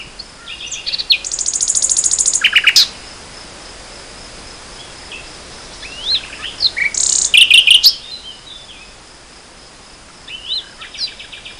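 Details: Nightingale singing in spring 2014: bursts of rapid, high repeated notes and whistled phrases separated by pauses, with short varied chirps in between and a steady faint background hiss.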